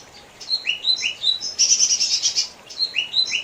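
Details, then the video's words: Lesser green leafbird, a small songbird, singing: short rising whistled notes near 2–4k, then a rapid buzzy chattering trill around 6k, followed again by rising whistled phrases; quiet background. "Burung cucak ijo mini"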